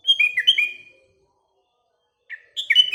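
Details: A sooty-headed bulbul sings in the morning: a lively phrase of several cheerful whistled notes dipping and rising, then a second of silence and a fresh phrase starting with a soft note before loud bubbling whistles.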